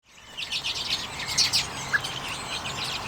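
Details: Common redpolls feeding on sunflower seeds in late January 2022, filmed with a Canon EOS M50: a dense run of high, thin chirps and twitters, overlapping, with a brief louder note near the end.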